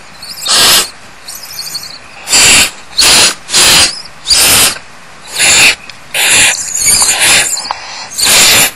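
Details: Growing barn owl owlets crowded in a tree cavity at Starr Ranch in 2010, while the mother feeds the smallest, give harsh, breathy hisses about half a second long, nine in under ten seconds at an uneven pace.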